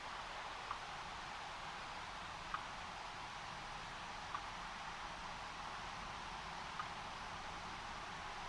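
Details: Soft steady hiss with a few faint clicks every couple of seconds, and no animal call is heard.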